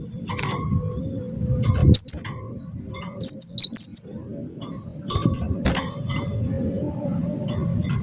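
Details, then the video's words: Wingko-type cinereous tit singing as a lure to get other birds singing: brief clusters of piercing high whistled notes around the middle, over a persistent low hum and scattered clicks. "gelatik batu wingko gacor jitu buat bahan ikut gacor ampuh pancing bunyi"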